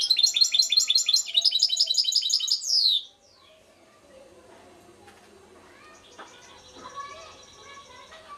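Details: European goldfinch from Šuto Orizari singing a rapid, high, tinkling run of repeated notes for about three seconds, ending in a descending slur, followed by quieter, softer twittering phrases.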